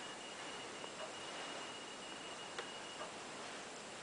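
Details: Steady hiss with a faint high tone and a few soft ticks is heard indoors, with no animal voice.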